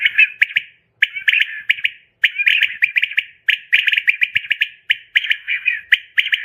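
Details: Female common quail calling, a recording offered for luring quail when hunting; dense bursts of harsh, rapid chirping notes about a second long, repeated after brief silent gaps, with no other sounds.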